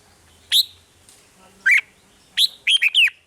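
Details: Caged red-whiskered bulbul from Thailand, its song used to stir other caged birds into excitement; a few sharp chirped notes, then a quick run of three or four bubbling whistled notes.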